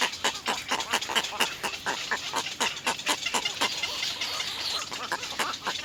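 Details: Three little egret chicks at the nest begging their mother for food, biting at her: harsh, rasping clicks and chattering bursts repeated rapidly and irregularly, loud and broadband, with constant background hiss.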